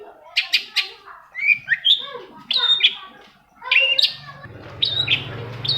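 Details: Long-tailed shrike song played to spur silent shrikes into song, scattered sharp chips and warbled phrases with gaps, and a steady low hum joining near the end.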